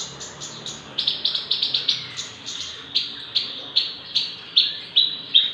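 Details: A Javan bush lark of six months, actively singing and suited as a tutor or prompt for other birds. A quick, steady string of bright high chirps, roughly two or three per second, continuing throughout.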